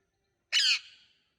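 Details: One abrupt, harsh green parrot squawk with a slightly trailing, fading tail, in otherwise silent surroundings.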